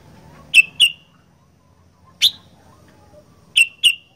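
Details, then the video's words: Sooty-headed bulbul (kutilang) called a 'gacor fighter': crisp, ringing chirps delivered in twos with one single note between, each note sharp at the start and sliding lower, against near silence. "Burung Kutilang Gacor Fighter"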